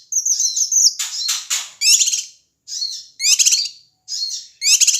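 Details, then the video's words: Noisy male Ashy tailorbird from Sumatra, used to provoke other birds. It opens with high, thin, trilled notes, then gives hissing bursts and buzzy rattling calls every second or so. "suara cucak kinoi ribut AMPUH memancing emosi semua burung"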